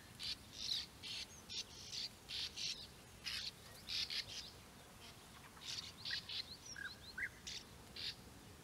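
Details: Near nest holes dug into flat ground at Puszta Eldorado, European bee-eaters give a steady series of brief rough trilled notes, roughly two per second, with a few thin higher chirps in the later part.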